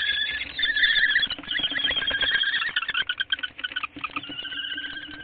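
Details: A common kestrel during a prey transfer on 7 April 2013 gives rapid, whining, trilled calls, high and strained, pulsing several times a second, with a faint low hum underneath.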